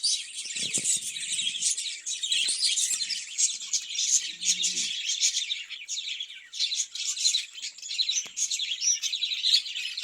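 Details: Caged budgerigars kept for breeding, many birds together giving a dense, continuous high chattering warble of rapid chirps and squeaky notes, with a few faint low knocks early on.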